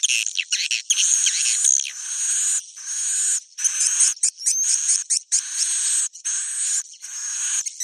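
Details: High, wheezy twittering from swiftlets at their roost, with thin upslurred whistles over a rasping buzz and scattered clicks between irregular bursts.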